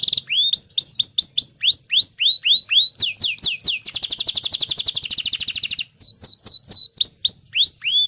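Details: Training song of a canary for young birds and canaries that have gone quiet: a string of rising whistles about five per second, a fast rolling trill, then more upswept notes.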